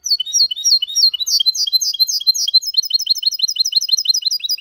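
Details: Male goldfinch × canary hybrid singing clean Malaga-language song, meant to stimulate males and teach chicks; bright high twittering phrases giving way to a long fast run of repeated rising chirps.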